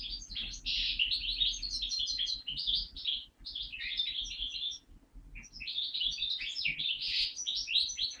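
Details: Linnet × Waterslager canary mule, bred in 2012, singing a mixed song in 2013: a continuous run of bright, varied twittering phrases and trills with a short pause midway, in a quiet room.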